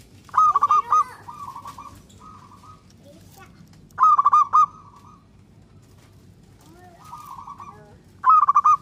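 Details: Song of a local zebra dove meant to get other doves singing: loud clipped stuttering phrases that trail into softer rolling trills, repeated about every four seconds against a low hum.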